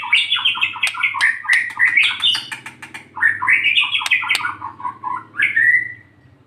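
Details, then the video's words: White-rumped shama in morning sun, singing to encourage silent shamas; busy run of warbled, chattering phrases with clicks, ending in a rising whistle, over a low background hum. "TEMBAKAN MURAI BATU GACOR BONGKAR ISIAN SAAT DI JEMUR PAGI HARI //PANCINGAN MURAI MACET BUNYI"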